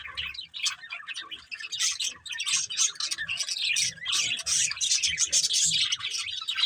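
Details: Pet budgerigars, a breeding pair, in sustained chatter: scratchy warbling and squawky chirps tumbling together without pause, growing busier and louder toward the end, with faint low thumps beneath.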